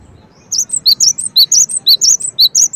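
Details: Rapid series of bright, high chirped notes from a Cinereous tit, alternating low and high pitches in a steady rhythm, starting after half a second of quiet background hum.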